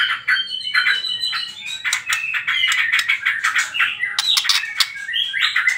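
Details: White-rumped shama in trotol style, a lure song used to provoke other birds into singing: a dense, rapid stream of varied chirps and trills, bright and high, with short buzzy bursts running almost without pause.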